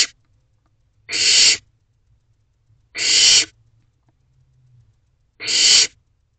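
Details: Barn owl owlet in a wild nest box at 8:39 pm on 7 May 2023, swallowing a rabbit whole; evenly spaced breathy, harsh hisses roughly every two seconds against a quiet background with a faint low hum.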